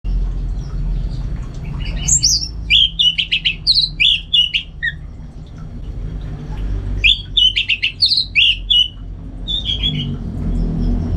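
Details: Caged Orange-headed Thrush kept at home in North Bali, singing vigorously in contest-preparation style: two bursts of sharp, varied whistled notes and chirps, high and quick, separated by a pause, over a steady low hum.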